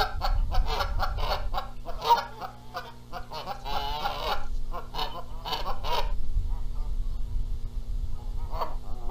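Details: A noisy egg dispute among Canada geese at a Montana nest, the gander having flown in. Dense bursts of nasal honks fill the first six seconds, then thin to a few scattered calls.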